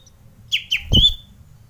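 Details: Aroused male Common Iora (sirtu/cipoh) in mating mood: two quick downslurred whistled notes followed by one long, level, ringing whistle, with a dull low thump underneath.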